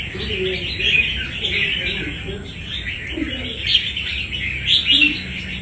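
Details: Wild-caught red-whiskered bulbul fighting bird singing bursts of bright chirpy warbles, with softer lower notes and short louder peaks near the end; light background hum.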